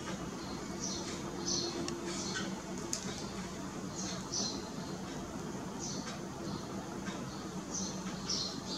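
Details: Indian silverbill (Euodice malabarica), also called White-throated Munia, giving short, thin, high-pitched chips and brief twittering notes, about one every second, over a steady low hum and background noise.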